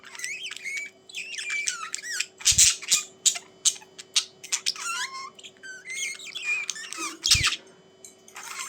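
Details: Budgies chattering energetically, with rising and falling squeaky whistles, harsh buzzy bursts and clicks, plus two brief low knocks amid the lively warbling.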